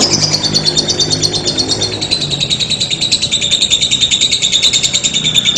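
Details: A lovebird holds a long ngekek: a quick, high, slightly buzzy chattering trill that drifts gently lower in pitch, with a faint low hum beneath.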